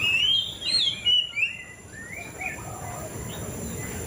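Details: White-rumped shama singing: a bright whistled opening with rich slurred notes near the top, then softer descending warbles trailing off over steady background hiss.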